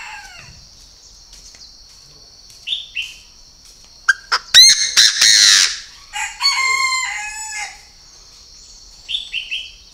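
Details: Captive purebred Chinese francolin at a bird farm in Ba Vì, Hanoi, Vietnam, calling: loud, harsh, harmonic-rich notes in a broken series, a dense burst mid-clip, then shorter paired notes. A steady high insect-like whine runs throughout.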